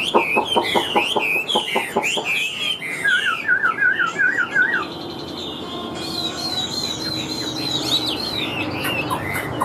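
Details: Caged Chinese hwamei, big-bodied with yellow legs and bill, in laughingthrush-tail style song. It opens with sharp repeated clicks, then gives a wavering whistled trill and bright looping whistles.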